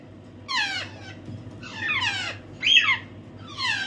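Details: Hand-reared African grey parrot chick calling with rough, scratchy downward-sliding squawks, four bursts in under four seconds, steady low hum indoors.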